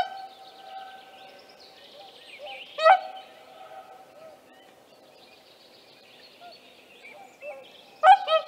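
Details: Whooper swan (Cygnus cygnus) with young at Tāši, Latvia, 15 May 2024, giving two loud, brassy trumpeting notes about five seconds apart, over a soft, steady thin tone and quiet background murmur.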